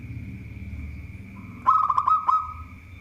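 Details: Local zebra dove (perkutut), described as a lively singer skilled at drawing rivals into song, giving a quick burst of five or six soft, rolling coo notes in under a second after a quiet start, over a steady faint background tone.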